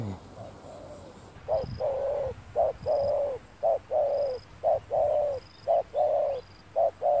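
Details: Spotted dove heard while trappers use a lure bird on a bright sunny day: steady low coos alternating short and drawn-out notes, roughly one per half second, with a thin high peep repeating faintly above.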